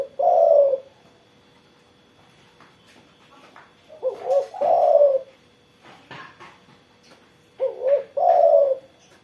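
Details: Spotted dove singing after morning sunning: low, mellow cooing phrases near 500–700, each a short lead-in note then a drawn-out coo, repeated about every four seconds, with faint clicks between.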